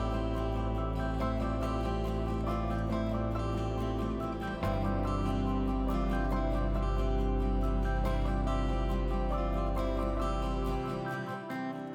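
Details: Gentle instrumental music with plucked guitar and sustained low tones plays throughout, with no animal voices.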